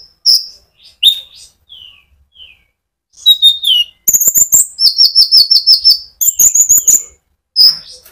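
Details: Sunbird (konin) singing in a lively rolling style, used as a lure to provoke other sunbirds; high thin notes and downslurred whistles, then a dense burst of sharp chirps, buzzy trills and repeated bright notes.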